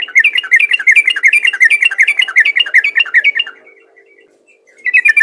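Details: Caged sooty-headed bulbul, its song meant to make other bulbuls sing, pouring out rapid, lively chattering phrases for about three and a half seconds, falling quiet, then starting a fresh burst.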